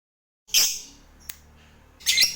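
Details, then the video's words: Lovebird fighter, used to prompt other lovebirds to ngekek trill, giving two short, harsh, high squawks about one and a half seconds apart, with a single faint click between them. "Suara Burung Lovebird ini PINTAR Sekali Bikin Labet Cepat Ngekek"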